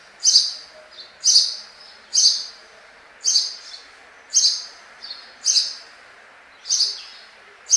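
A sparrow gives sharp, bright chirps about once a second, each a quick high note repeated steadily over a faint background hiss.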